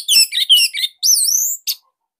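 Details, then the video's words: Orange-headed thrush song used as master training material for young or silent birds, a unique tight loud style: rapid varied high whistles and trills, then a long wavering whistle and a short final note, no background sound. "Kicauan Joss ANIS MERAH Pancingan Masternya Para JUARA"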